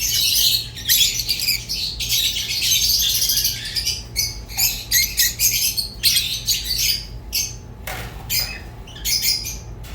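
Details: Rosy-faced and Fischer's lovebirds giving bursts of shrill, scratchy chattering, with rapid squeaks separated by short gaps. The bursts grow choppier toward the end over a faint low hum.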